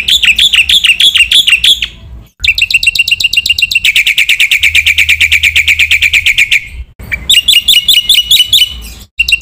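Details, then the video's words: Black-winged myna masteran training song, lively and packed with varied phrases, meant to stir other mynas: a run of rapid harmonic chirps, a brief pause, then a long fast trill of buzzy notes, ending in quick repeated bursts. "masteran jalak putih gacor full isian sekali dengar semua burung jalak terpancing emosi"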